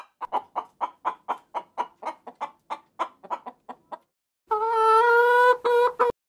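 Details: Chicken clucking in a steady series of short, clipped notes about twice per second, fading slightly, followed after a pause by a long, nasal, strongly tonal squawk-like sound broken into two parts.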